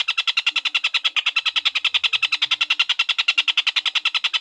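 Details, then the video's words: Collared kingfisher (tengkek buto), tutor audio for lovebirds: rapid, regularly spaced harsh kek notes, about nine per second, each broad and scratchy, running steadily for over four seconds, with faint low sounds underneath. "Suara tengkek buto durasi panjang"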